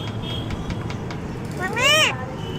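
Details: A pet parrot calls "Mami" in a single brief, voice-like word that rises and then falls in pitch, against a steady rumble of traffic.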